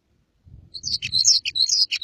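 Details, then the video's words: A red crossbill sings a quick, jumbled run of high chips, warbles and short buzzy notes, with a faint low rumble underneath. "red crossbill singing"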